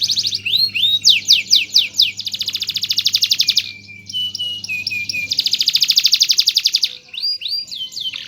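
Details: Canary singing energetically as a tutor bird. Rapid repeated whistled sweeps lead into long pulsing buzzy trills, broken by a brief softer passage, then another extended trill and scattered chirps. A low hum is present for the first five seconds.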